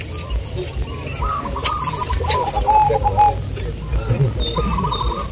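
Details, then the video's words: Local zebra doves (perkutut lokal) singing at a contest at Bukit Mengger, Sindet, Trimulyo, Bantul, Yogyakarta; several birds give overlapping soft cooing phrases of short notes, with a clear whistled note mid-clip and crowd voices behind. "GACOR DOOR❗ Lomba perkutut lokal"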